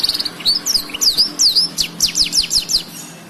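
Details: Black-throated canary singing as a master recording for canaries, blackthroats and yellow-fronted canaries: quick high twitters and slurred whistles, ending in a series of rapid, sharply descending notes.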